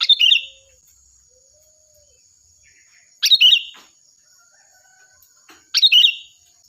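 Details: Sooty-headed bulbul singing loud and clear for use in training other birds: three short, sparkling phrases of fast warbled notes, spaced about three seconds apart, with faint quiet chirps between and a thin constant whine.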